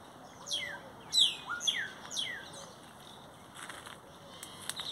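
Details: Great-tailed grackles singing: loud, steeply falling whistled sweeps in quick succession, with a sharp, bright note near the middle, then fading softer calls over faint background hiss.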